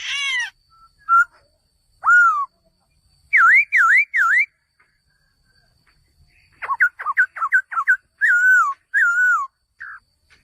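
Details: Male laughingthrush giving varied loud whistles. Downslurred notes come first, then three sharp V-shaped whistles in a row. A burst of quick clipped notes and a few rolling whistled phrases follow.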